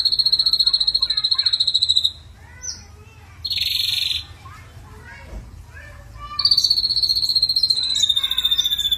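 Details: Vigorous ashy drongo lure song full of mimicked fill. A high, fast trill opens, then a quieter gap holds scattered soft notes and a short buzzy burst, and a slightly falling high trill returns.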